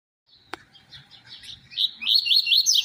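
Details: Double-collared seedeater singing the "tui tui zero zero" song style: soft, scattered high notes build into a loud, rapid run of bright, rising whistled phrases near the end, with faint low background rumble.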